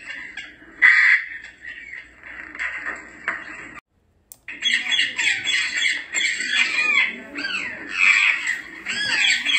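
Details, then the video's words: African grey parrot squawks and whistles, meant to catch the parrot's attention. A loud call comes early, then a brief silence, then dense chattering with many rising and falling whistled notes. "LORO GRIS , YACO. SONIDOS PARA LLAMAR , IMITAR, RELAJAR."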